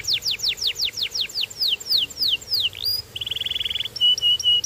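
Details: Canary repeating clear falling whistled sweeps about three per second, then a rising slur, a rapid buzzy trill, and several flat sustained piping notes.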